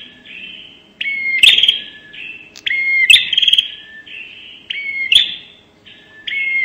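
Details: Prenjak nembak lure call of a bar-winged prinia: repeated high phrases about every two seconds, each a flat whistled note and sharp snap followed by a pulsing buzzy trill, with short quieter notes between.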